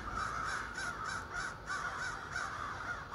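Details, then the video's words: Many ravens calling in the morning from trees across a street; rapid hoarse caws repeated several times a second, overlapping in a noisy chorus. "morning wake up call with ravens"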